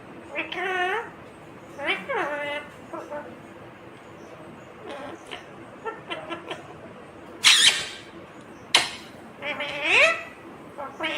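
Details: Indian ringneck parrot, green, talking: rising voice-like phrases, softer scattered syllables, then a couple of sharp harsh bursts and one more rising word.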